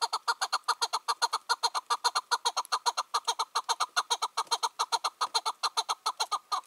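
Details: Free-roaming wild chukar partridge, five or six years old and dominant over rival males locally, heard on a June 2023 evening. A loud, steady chucking series runs throughout, about two and a half notes per second, harsh and evenly spaced.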